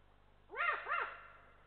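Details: Adult Eurasian eagle-owl at a nest in Estonia gives warning calls as a lynx walks by, 7 December 2023: two quick, harsh barking notes, each rising then falling, about a third of a second apart, over faint hiss.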